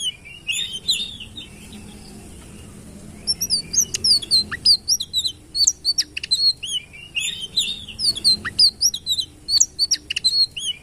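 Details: A sitrun delivers a bright, high-pitched song of quick whistled chirps and falling slurs in dense bursts, separated by a pause of about two seconds. Faint background hiss.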